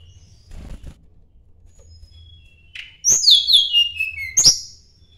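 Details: Sunda blue robin's rival-seeking song: after a quiet stretch, a short burst of high descending whistles and clicks, ending with a sharp chirp.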